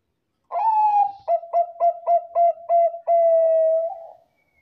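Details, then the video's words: Bangkok zebra dove song used to provoke answering doves: an opening sustained coo followed by seven quick evenly spaced short notes, ending in a long level coo that lifts at the end, clean and noise-free. "PERKUTUT BANGKOK GACOR SUARA AMPUH DIJADIKAN PANCINGAN PERKUTUT BANGKOK LAIN 100% NYAUT"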